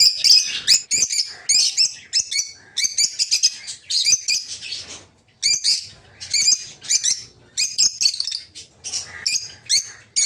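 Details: A flock of captive peach-faced lovebirds in a breeding aviary, including opaline, dark green, blue rosy and lutino birds, keeps up continuous piercing chirps and screeches in clustered bursts.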